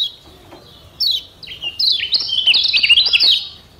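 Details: A Lombok yellow white-eye (kecial kuning) sings a rapid, high twittering song of thin slurred and rising notes, growing denser after a brief opening chirp; the recording is used to stimulate captive white-eyes to sing.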